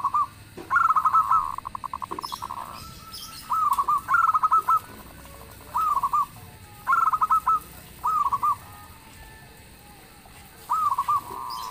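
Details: Booming local zebra dove song that sets other birds answering: short bursts of quick pulsed coos recur every second or two, some with a drawn-out steady note, across about a dozen seconds.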